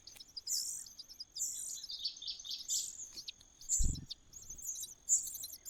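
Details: Begging cuckoo chick in the nest gives sharp, sibilant high-pitched chirps in short irregular bursts, with a thud partway through and a constant thin background tone.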